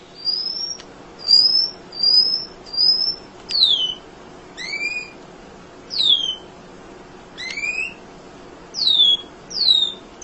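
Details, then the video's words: Tirelessly chirping munia, recorded as a songbird training tutor: a brisk series of about fourteen thin, high slurred notes, some falling and some rising, several in stacked pairs, coming roughly every half second to second. "Kicau Emprit Ngoceh Tak Kenal Lelah Untuk Masteran"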